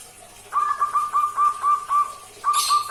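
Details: Captive two-month-old local barred dove, hand-reared from about three weeks, practising its song: eight short, even, mid-pitched cooing notes in a steady run, a brief pause, then three more with a soft rustle.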